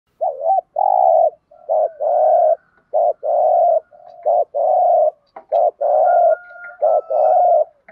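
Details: Spotted dove giving the thúc gù cooing style: loud, low mellow coos in quick pairs, a short note then a longer held one, repeated steadily over eight seconds, with a faint higher tone briefly in the background.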